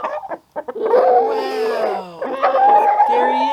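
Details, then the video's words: Roosters calling loudly in reaction to their first sighting of a full-grown bald eagle overhead: long, harsh, wavering drawn-out cries with rising and falling tone, preceded by a few short clucks. "Roosters' CRAZY reaction to bald eagle sighting!"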